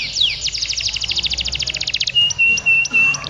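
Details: Male domestic canary in continuous ngedur song at a canary contest, Pondok Cabe, Indonesia, 2016: a fast string of repeated sweeping notes for two seconds, then a steady held whistle broken by short chips.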